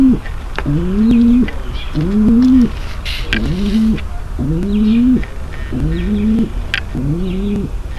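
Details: Female pigeon's mating call for readying the male: six evenly spaced, low arching coos, one roughly every 1.2 seconds, with light high-pitched chirps and clicks behind them.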